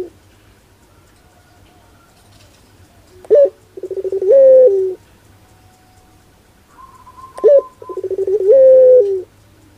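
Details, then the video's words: A Barbary dove gives two low cooing phrases, each a short clipped note followed by a long, rolling, slightly rising coo, about four seconds apart. "Suara LUCU PUTER Pelung"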